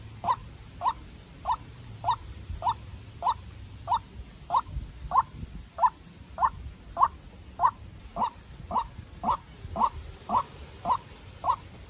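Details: Young decoy white-breasted waterhen pitted against a wild bird in a hard fight. It calls with a long, monotonous run of about twenty clipped, mid-pitched notes at a regular pace, growing louder midway.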